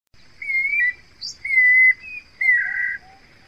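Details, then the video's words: A guira cuckoo gives three drawn-out whistled notes, each about half a second long and wavering slightly, roughly one per second, over a steady high insect-like hum. "Canto do Anu Branco Guira Guira"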